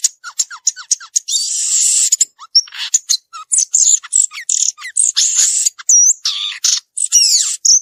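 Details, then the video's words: Wild violaceous euphonia singing a dense, rapid jumble of high chattering notes, buzzy trills and thin downslurred whistles, nearly continuous with brief gaps. "Gaturamo verdadeiro cantando na natureza"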